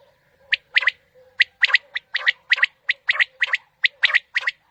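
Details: Morning hunting lure of quail: dense run of sharp three-note phrases, high and clipped, over a faint low steady hum.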